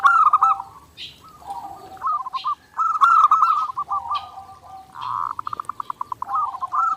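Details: Zebra dove recording made for daily training of captive birds: mellow, hollow cooing phrases with rolling bubbling trills, several bursts of rapid pulsed notes, repeated with short pauses.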